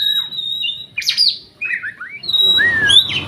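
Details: Oriental magpie-robin, a competition bird from Riau province said never to have lost a provincial-level audition, singing clear high whistles: a long steady note, then sharp slurred phrases and a bright rising whistle, with short pauses between.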